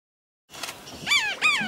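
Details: River tern at Ranganathittu Bird Sanctuary, Mysore, giving two harsh, rasping calls in quick succession. Each rises briefly and then falls, with strong overtones.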